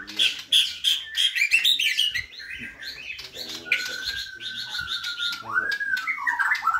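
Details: Borneo white-rumped shama singing energetically, in the style kept-bird hobbyists call gacor: rapid bright chips and twitters, then long pure whistles and a swooping slurred note, loud and varied throughout.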